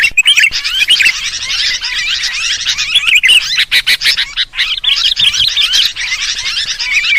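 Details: Noisy kutilang chorus used as a bird lure for sooty-headed bulbul: a busy, unbroken tangle of quick chattering chirps and twittering whistles, many birds calling at once, with brief clicking sounds in the middle.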